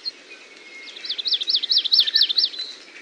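Amakihi song: a quick series of about seven high, slurred up-and-down notes, roughly five per second, over faint background hiss.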